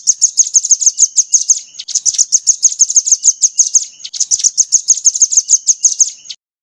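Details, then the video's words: Crimson sunbird rambatan material used to tutor songbirds: fast, even bursts of piercing high chirps, about three per second, in three runs separated by short gaps. "MASTERAN SOGOK ONTONG MATERI RAMBATAN"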